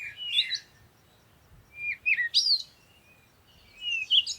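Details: Birds chirping during a peaceful morning sunrise: three high, sweet twittering phrases with sliding and trilled notes, separated by pauses, over a soft background hiss.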